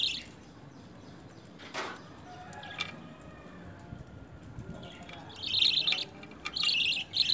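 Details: Hand-fed lovebird begging during initial hand-feeding training with spinach and coriander. Mostly soft rustling and handling noise, then loud raspy pulsed begging bursts in the final two seconds.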